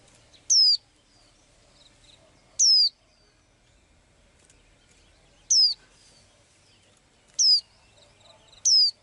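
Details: Blue-eyed little bird in its daily song, giving five bright, downward-slurred whistled notes roughly every two seconds, with faint soft chirps and a quiet background between them.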